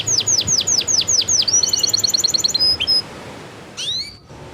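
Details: Canary song played to prompt stalled or freshly moulted canaries to sing: a run of sharply descending whistled sweeps, then a quick rattling trill, a few thin high notes and a brief rising flourish near the end.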